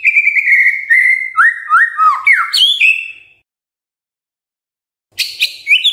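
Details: White-rumped shama song played in the morning so silent birds answer: a steady repeated whistle, then stepping falling and rising slurred whistles, a silence, and sharp high notes.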